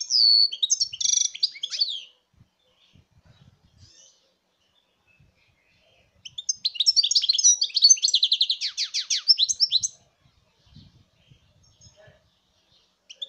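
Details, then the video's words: European goldfinch song, 2019: two bursts of rapid tinkling twitter, about two seconds each, separated by a quiet gap of roughly four seconds; the second burst includes a fast trill of repeated notes. "chant chardonneret"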